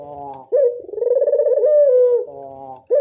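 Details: A Barbary dove gives a lure call: a quiet nasal note, then a long purring coo that swells and trembles before easing down, and the start of the next coo.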